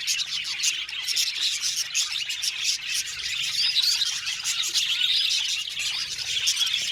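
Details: Aviary flock of budgerigars in chorus, a constant overlapping mass of fast high chirps, squeaky twitters and warbling, loud and even throughout with a few clearer whistled notes near the middle.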